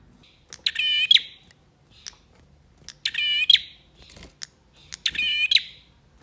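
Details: Male bar-winged prinia singing energetically to stimulate birds that have gone quiet. Three strong buzzy, stuttering phrases end in a bright peak, with soft clicks and chips between them.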